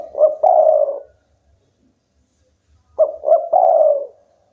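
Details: Spotted dove, local strain, singing busily so rivals respond: the end of one mellow coo phrase, then a full phrase of two clipped notes and a long sliding coo, both low-pitched.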